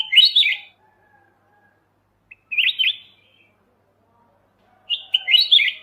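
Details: Bulbul called kutilang emas mata putih, a master song for training songbirds: three short, sweet, bubbling phrases of rapid slurred whistles, separated by pauses of about two seconds, in an otherwise silent background.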